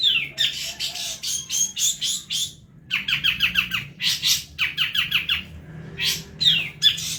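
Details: Long-tailed shrike training song: a varied jumble of scratchy, buzzy high notes and quick chattering bursts, broken by short pauses, with faint low background hum.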